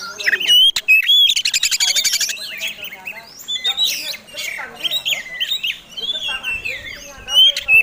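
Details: Oriental magpie-robin delivering a provocative fighting song aimed at other birds, opening with pure whistles, then a rapid buzzing rattle, followed by varied scratchy and whistled phrases repeated quickly.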